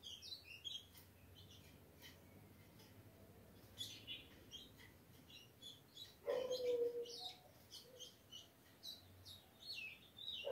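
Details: Three-month-old captive ultramarine grosbeak chick singing: bursts of quick high twittering notes, with a man speaking Portuguese and a brief lower sound midway.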